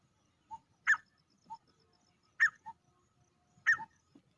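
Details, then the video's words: Male grey francolin repeating a short three-note phrase three times: a quiet low note, a loud sharp higher note, and a soft low note. "grey francolin male sounds"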